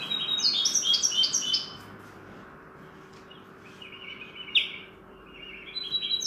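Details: Common linnet trained to sing the goldfinch's song: a quick burst of bright, tinkling high notes for over a second, then scattered single chirps and short twittering phrases against a soft hiss.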